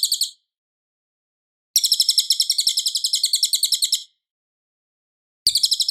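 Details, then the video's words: Cililin song used as master recording for training Murai Batu, loud and clear: rapid high chirping trills in bursts, a long run of about two seconds between short fragments, with silent gaps. "suara Cililin Gacor jernih keras berjeda 10 detik"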